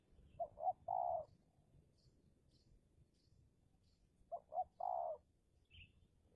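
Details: Decoy spotted dove in Indonesia calling during a territorial contest with wild doves: two quick short coos then a long, slightly falling coo, the phrase given twice; faint distant chirps of small birds.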